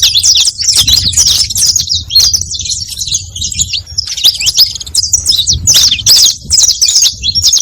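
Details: Saffron finch, known locally as canário-da-terra, singing to lure other canaries: bursts of rapid, shrill chirps and trills repeated in clusters, with brief quieter breaks between phrases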